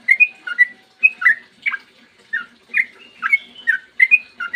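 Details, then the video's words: A Sooty-headed bulbul sings gacor ropel in the morning to get other bulbuls singing: bouncy two- and three-note whistled phrases, repeated about every half second, with a faint low hum. "trucukan gacor ROPEL PANJANG buat pancingan trucukan agar bunyi"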